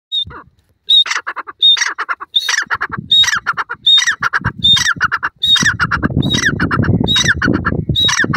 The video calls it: tetar call